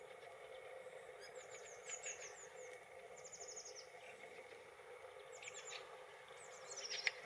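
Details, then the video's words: Fieldfares (Turdus pilaris) give bursts of thin, high, squeaky chattering notes in quick runs, over a faint steady background hum. "drozd kvíčala (Turdus pilaris) drozd čvíkota/fieldfare/Wacholderdrossel/Kwiczoł/Ряби́нник"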